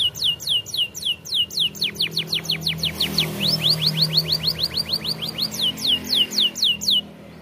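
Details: Champion-style canary song for training young canaries: a long, fast series of steep sweeping notes, about three per second, holding pitch and rhythm for seven seconds against a faint hum.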